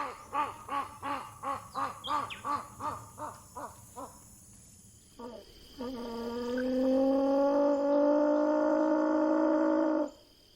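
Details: Rufescent tiger heron, or socó-boi, producing a slowing series of low hooted pulses, a brief gap, then a sustained deep moaning tone that rises slightly in pitch and lasts around four seconds.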